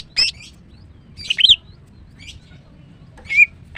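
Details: Female greater green leafbird singing in the morning: a few scattered chirps and twisting whistled notes with long pauses between them.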